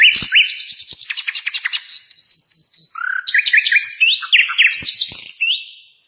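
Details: Varied Nightingale song, the sikatan londo: rapid clicking trills, a drawn-out pure whistle held for about a second, then quick upslurred whistled notes repeated in series and high chirps.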